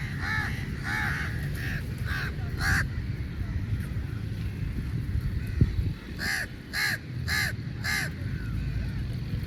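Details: Many crows squabbling over meat, giving rasping caws in quick runs of three or four, then a pause, then another tight series of loud hoarse calls, with constant low rumble behind.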